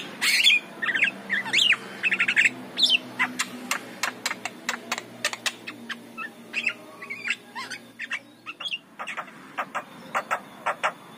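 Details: Javan myna in morning song, meant to lure other mynas; opens with a burst of squeaky whistles and squawks, then settles into regular sharp clicking notes with occasional short whistles, faint hum beneath.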